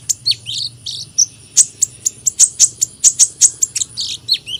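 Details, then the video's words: Hummingbird singing: a fast string of very high, sharp ticking chips with short squeaky down-slurred twitters mixed in, roughly four to five notes per second, over a faint low hum. "Kicauan Burung Kolibri"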